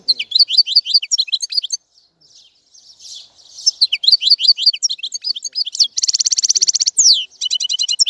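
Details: European goldfinch in a tinkling, jumbled song of fast rising chirps, broken by a short pause. A loud buzzy trill follows, then more bright twittering phrases.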